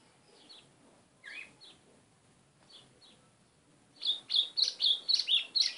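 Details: White-throated seedeater: scattered soft high chips, then a vigorous series of bright, clear, high notes repeated about twice per second. The background is quiet.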